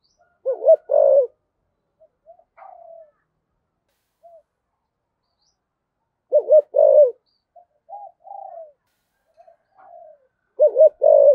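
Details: Spotted dove cooing as a lure for wild doves: three short bursts of two to three low coos spaced about five seconds apart, with faint soft murmuring notes in between, in an otherwise quiet setting.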